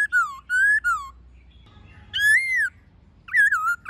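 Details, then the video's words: Laughingthrush singing in wild voice alongside a female, used to train captive birds: three loud slurred whistles falling then rising, separated by quiet gaps, with a final wavering whistled phrase. "Khướu Hót giọng rừng NHIỀU GIỌNG + MÁI RÒ khướu bổi"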